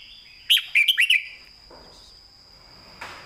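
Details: Red-whiskered bulbul in master-song style: a brisk phrase of five loud, bubbling whistled notes in under a second, then quiet, ending with a brief rustle, a faint constant high tone throughout.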